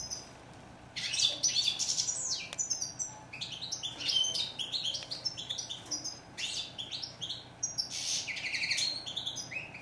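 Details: European goldfinch, called chardonneret in French and steyla in Morocco, singing a lively tinkling twitter of quick high notes and buzzy trills in bursts, over a steady low background hiss.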